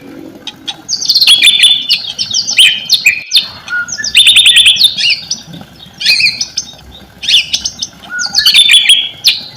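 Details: White-rumped shama song serving as a lure to make silent shamas respond: short, dense bursts of high whistled and scratchy notes, each phrase about a second long, separated by brief gaps.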